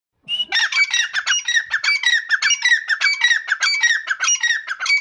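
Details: A grey partridge held on a hand gives a fast, unbroken run of harsh, grating squawks, about two to three notes a second, loud and close in a quiet room.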